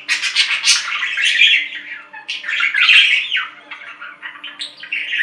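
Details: Budgerigar calls: fast, continuous scratchy chatter of clicks, squeaks and buzzy warbled notes, densely packed with only brief dips, over a faint background hum.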